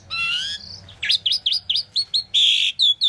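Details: Asian pied starling chirping: a long buzzy whistled note, then a rapid run of repeated looping chirps, a loud harsh rasp and more bright chirps.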